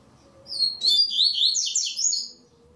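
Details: Singing-tournament double-collared seedeater giving a single rich strophe of rapid, clear slurred whistles lasting nearly two seconds, notes sweeping up and down in quick succession over a quiet low hum.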